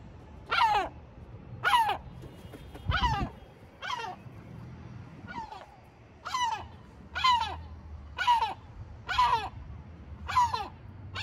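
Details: Gull calling at Batumi on the Georgian coast, a long series of harsh, falling, squealing notes repeated about once a second, with a brief low thump and steady low hum behind.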